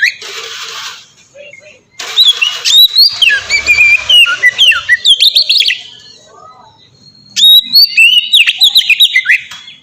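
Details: White-rumped shama song used as a lure to prompt other shamas to sing: varied whistled phrases with sharp rising and falling notes in quick bursts, a noisy hiss at the start and a quieter pause midway.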